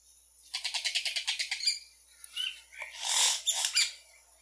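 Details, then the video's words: Yellow-rumped cacique song: a fast series of about ten harsh rattling notes, then scattered squeaks and a loud rushing, wheezy burst with two sharp accents; a steady high hiss runs throughout. "Canto de xexéu"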